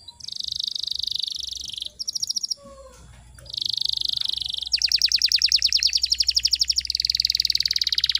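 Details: Canary song used to prompt silent canaries to sing: a buzzy high trill, a short pulsed burst, a brief gap with low faint notes, then long rapid rolling trills that grow louder.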